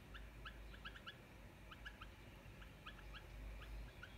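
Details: Wild bulbul pair calling; quick clusters of short, bright chirped notes repeated through the clip, each cluster of two to four notes, against a steady low background rumble.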